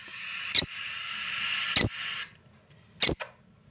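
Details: Three piercing lovebird chirps about a second and a quarter apart, the last with a short echoing second note, over a steady background hiss that stops midway.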